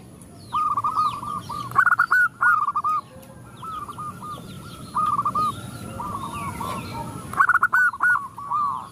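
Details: A female zebra dove calls to males and others join in, giving quick strings of short, bouncing notes in bursts of about a second, separated by quieter gaps with faint high twittering from other birds.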